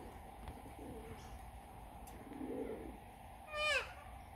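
A single brief, harsh, arching screech of a Major Mitchell's cockatoo comes near the end, preceded by a few soft, low coo-like notes over steady background hiss.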